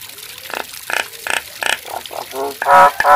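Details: Nias hill myna producing four bright, clipped nasal notes, then softer mid-pitched honks. A loud, harsh, grating squawk follows, broken by a short pause and repeated.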